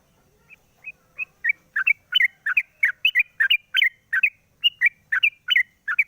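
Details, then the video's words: Morning song of a sooty-headed bulbul after its cage cover is lifted, played as a lure: faint scattered notes building into a lively series of paired chirps, each pair dipping then rising, about three pairs per second. "pancingan burung trucuk di pagi hari buka krodong bunyi"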